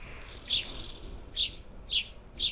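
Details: Parakeets at a Gulf Coast bird feeder outside Houston, Texas, captured by feeder cam on 27 July 2021; four short, rasping chirps, spaced half a second to a second apart, above faint hum.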